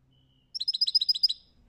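A European goldfinch gives a quick, bright burst of about eleven high tinkling notes in under a second, with faint low background hum.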